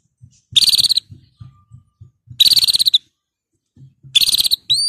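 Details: Canary singing in three short bursts of rapid high trilled notes, each lasting about half a second and separated by pauses, with soft low tapping sounds in between.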